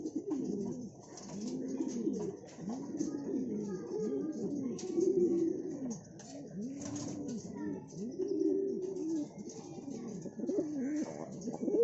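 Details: Siraji fancy pigeons, a domestic breed, cooing indoors: low, rounded, rising-then-falling coo notes repeated in quick runs, several birds overlapping, with faint clicks and rustling behind.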